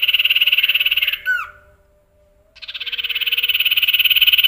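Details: Male common iora, a kept songbird, singing an imitative fill-in song that includes canary phrases: a dense rapid buzzy trill, a quick downward-swooping whistled note, a pause, then the fast pulsing trill again, building louder.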